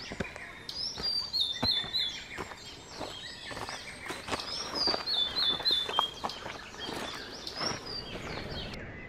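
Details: Breeding pair of blue-and-white flycatchers with food for chicks leaving the nest, Shuhogahara in Kobe, Japan, 30 May 2020; rapid high whistled phrases of falling notes over rustling and repeated knocking or footstep-like thuds.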